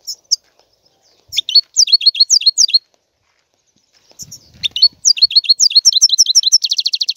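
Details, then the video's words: European goldfinch delivering bubbly, high-pitched twittering phrases; the second phrase quickens into a fast buzzy trill of evenly repeated notes at the end. "تغريد طائر الحسون"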